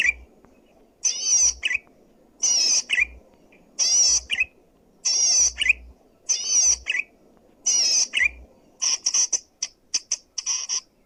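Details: Loud, clear zitting cisticola song for luring or training other birds: seven rasping, wavering buzzes at steady intervals, each with a short lower tail note, then a quick scatter of sharp clipped notes.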